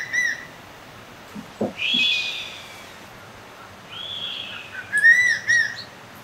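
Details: A crested serpent eagle (Spilornis cheela) gives loud, ringing whistles: a drawn-out note that slurs downward, then a few shorter clipped whistles, with a couple of soft thumps in between.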